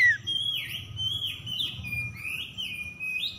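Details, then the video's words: Oriental magpie-robin song played as a lure for birds that have stopped singing: a continuous run of moderately loud swooping whistles, each dropping then climbing, repeated several times with a low hum behind. "PANCINGAN PEMIKAT KACER SETRES MACET BUNYI LANGSUNG GACOR"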